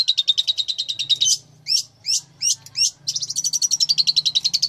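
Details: Long-tailed shrike, described as a fighter-type master bird for song training, giving a rapid buzzy trill near one steady pitch, then four separate hooked, upswept notes, then another fast rattling trill that rises slightly; faint low hum beneath.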